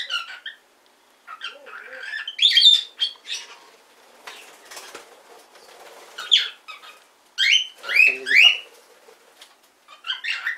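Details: Cockatiel kept as a hand-tame pet in Fukuoka, Japan, practising speech, giving scattered squawky syllables and rising whistled notes in bursts separated by quiet gaps, with a faint wing flutter midway.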